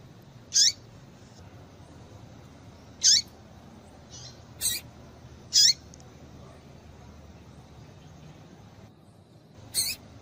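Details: Female double-collared seedeater calling to excite males into song: five or six brief, bright, high chirps with short downward tails, repeated every two to three seconds, with a soft hiss beneath.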